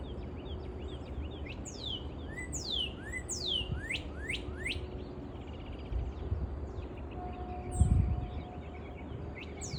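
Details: Red-whiskered Bulbul singing on a spring morning, a run of bright, sharply sweeping whistles, several per second, with softer chirps between, over a steady low rumble.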